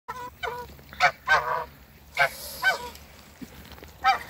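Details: Toulouse and African geese in a backyard giving loud, harsh honks in a rapid series of about seven calls, some doubled, with a brief pause mid-sequence and faint background noise.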